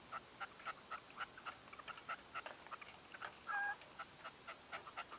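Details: At dawn in 2023, a decoy red-legged partridge gives a string of soft, clipped mid-pitched notes, roughly three a second, broken once by a brief clear whistled note.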